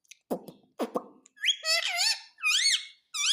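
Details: A rose-ringed parakeet described as talking 'Mummy Papa': two soft clicking taps come first, then loud, high, nasal, word-like syllables gliding up and down, in two phrases with a short pause between.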